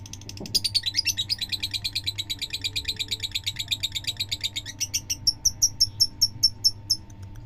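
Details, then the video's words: Rapid high chirping from a fighter lovebird, a long unbroken series of ticking notes that slows near the end into evenly spaced sharp chips, over a steady low hum. "Lovebird fighter durasi panjang"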